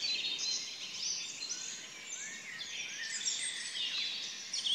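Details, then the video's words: Several birds sing at once early in the morning at 4 a.m., a dense, high dawn chorus of overlapping twitters, trills and thin whistles over a soft background hiss. "Vogel gesang"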